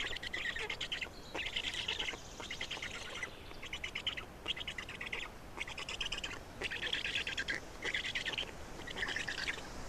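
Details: Estonian black storks being fed at the nest, 27 May 2019: about nine rasping, rattled bursts over ten seconds, each roughly a second long, evenly spaced.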